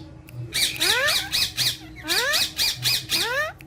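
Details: Green talking parrots having fun with each other: fast repeated harsh squawks, about four per second, in two bursts, each rising streak stacked with harmonics.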